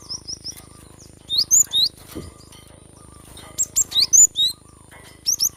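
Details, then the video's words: Cinereous tit in full song, a recording meant to coax lazy-singing birds into singing: bursts of high, sharp swept chirps and quick twittering notes in short clusters, separated by brief pauses over a steady faint hum. "Gelatik batu gacor ‼️mengatasi burung malas bunyi"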